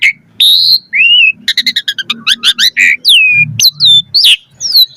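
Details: Asian pied starling full varied song played to make other starlings sing, combining clear whistles, a rapid series of stuttering notes and long falling whistles, with a faint low hum beneath.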